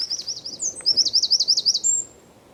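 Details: Eurasian wren (txepetxa) singing in San Miguel de Daño, Zamudio, on 4 December 2019: a loud, very high, rapid song of sweeping notes that build into a fast, buzzy trill lasting about two seconds.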